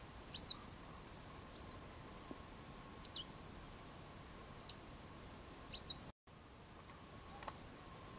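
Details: Western yellow wagtail calling: short, high, downslurred squeaky notes repeated at irregular intervals of about one to one and a half seconds, with a low constant hum beneath and a brief dropout near the end.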